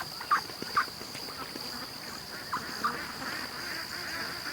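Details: Ducks let out of their pen in the morning after an extra hour's wait, rushing to the creek. Several short, harsh quacks burst out in the first three seconds, then fade, over a steady high whine and constant background noise.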